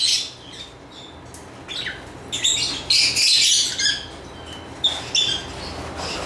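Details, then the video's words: Lovebird chirps come as scattered short high squeaky notes and buzzy bursts, sparse at first then a denser chattering run in the middle, with brief sharp tweets near the end. "Lovebird Chirping Sounds"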